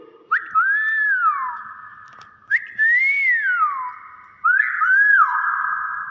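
A common hill myna repeats three loud, whistled, speech-like phrases about two seconds apart, each one jumping up sharply and then arching down in pitch.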